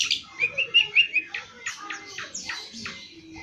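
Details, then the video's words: Long-tailed shrike song played to make a kept bird answer: a quick series of high, thin chirps and slurred notes with some buzzy upward sweeps, loud at first and then softer, with faint background noise. "Cocok buat master cendet anda denger suara ini lansung nyaut"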